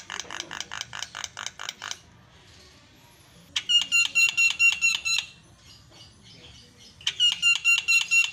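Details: Javan myna (jalak kebo) recording for prompting and tutoring caged birds that have fallen silent: three bursts of rapidly repeated harsh, rasping notes, about eight per second, separated by short quiet gaps, with a thin steady whistle running through the louder bursts.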